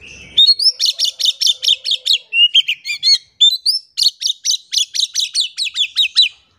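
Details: Oriental magpie-robin (kacer) in lively gacor song, played to coax silent magpie-robins into singing. A near-continuous string of loud, rising whistled notes repeats about three times a second, with a few slurred whistles in between.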